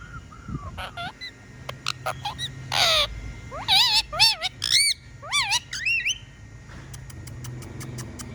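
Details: Talking pet parrot producing a quick series of looping, wavering whistles with bright overtones, preceded by a harsh burst and followed by soft ticking clicks.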